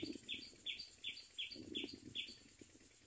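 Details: Hungry common myna birds calling: short bright chirps repeated roughly every half second in a steady series, over soft low rustling and background noise.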